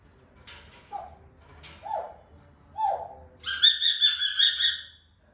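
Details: African grey parrot producing natural sounds. Three soft, low notes each swoop downward about a second apart, followed by a loud, high, buzzy, rattling call lasting over a second. The room is quiet.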